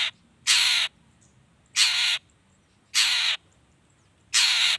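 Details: Long-tailed shrike singing energetically, used to provoke other shrikes into answering; four harsh, broad rasping bursts, each under half a second, repeated roughly every one and a half seconds over quiet background.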